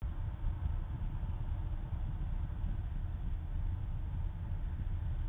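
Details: A steady low rumble of an idling vehicle engine fills the recording, with no animal voices heard.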